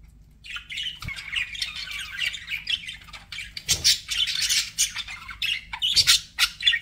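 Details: Captive budgerigars keep up a steady warbled chatter that grows louder and busier, full of squeaks, clicks and buzzy trills, with a few soft knocks.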